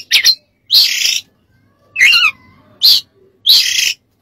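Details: Oriental magpie-robin song used as master recording for training other songbirds: five loud, harsh bursts of buzzy, chattering notes with quick whistled slides, spaced about half a second to a second apart with silence between.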